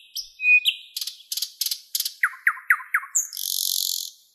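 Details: A thrush nightingale strophe, Park of the 50th Anniversary of October, Moscow, May 2016. A whistle, repeated clicking notes, four descending slurred whistles, then a sustained buzzy trill, each element repeated several times.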